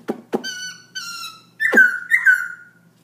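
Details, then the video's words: Black-throated laughingthrush singing at night, 11pm: two sharp clicks, level clear whistles, then two louder slurred whistled phrases, in a quiet room. "Black throat laughing thrush night song"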